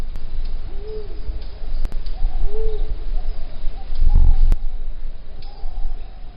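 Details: Eagle owl hooting in a forest, heard from a distance while hidden behind branches: two deep, slightly rising-then-falling hoots about two seconds apart, with rustling and scattered clicks nearby.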